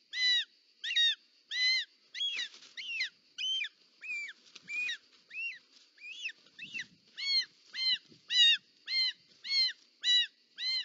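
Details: Short-toed snake eagle at the nest in Parc Natural dels Ports, 18 July 2024, as the female delivers a snake. A series of clear, arched whistled notes repeats roughly every half second, briefly overlapping and irregular mid-sequence, over a faint steady background tone.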